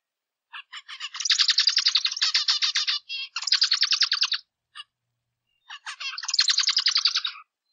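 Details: A zebra finch sings, opening with a few soft introductory clicks that lead into fast, buzzy, stuttering motifs about three per second of notes densely packed, repeated twice with a pause between.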